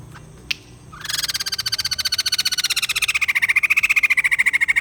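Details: After a soft click, a white-crested laughingthrush launches into a steady, accelerating rattle of harsh stuttering pulses with a ringing tone that slides gradually downward.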